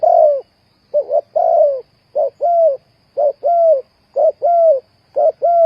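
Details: Spotted dove kept as a decoy for trapping. It gives low, mellow coos: two short notes, then a longer falling note, repeated about once a second. The bird is close and clear, with a faint steady hum behind it.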